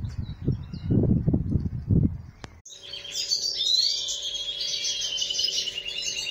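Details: Male European goldfinch singing near its nest, which holds four eggs, while the female sits on it: a man speaks briefly, then a fast, tinkling twitter of high, liquid notes runs on without pause.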